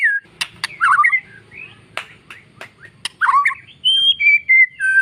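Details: Oriental magpie-robin master song used to prompt quiet magpie-robins to sing and to excite males: varied rich whistles, warbled phrases and sharp clicks, with clear high notes falling in pitch and brief pauses.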